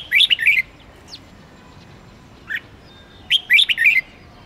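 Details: Red-whiskered bulbul 'ché' singing that spurs other bulbuls to sing for contests; two fast, fluty, warbled phrases several seconds apart with a single soft chirp between.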